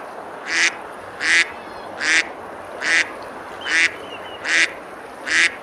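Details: Seven rhythmic, rasping quacks about 0.8 seconds apart from ducks eating and splashing on a river at Besalú, Girona, Spain, on a summer day, with a steady wash of water behind.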